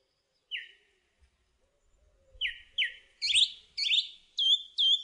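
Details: Song thrush singing: a single downslurred note, then clear phrases each given twice, pairs of sliding whistles climbing higher in pitch, with faint low rumbling underneath.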